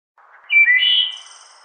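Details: A wood thrush (Hylocichla mustelina) sings one short phrase: soft low notes, then a clear fluty middle, ending in a thin, high trill that fades away.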